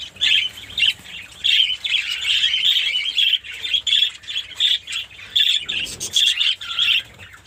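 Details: From a Pakistani mini colony of Fischer's lovebirds, harsh squawks and piercing chirps in rapid bursts, nearly continuous with brief dips between groups of calls.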